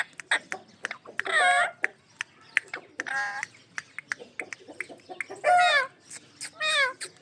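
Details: A pet ringneck parrot giving loud, harsh squawks with wavering stacked tones, interspersed with shorter chattering notes and sharp clicks, several bursts across the recording.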